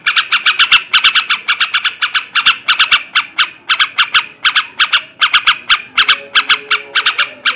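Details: Harsh, rapid chatter from a male yellow-vented bulbul, the 'ngebrem ngekek' style meant to raise breeding drive: clustered scratchy notes tumbling in uneven groups, nearly continuous throughout, with a faint lower whine late on.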